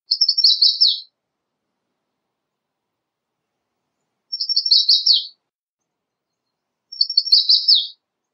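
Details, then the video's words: American redstart repeating the same song three times, every three seconds or so: a string of quick high chips ending in a sharp downslurred note, in quiet surroundings. "American Redstart Singing - Candelita Norteña Cantando"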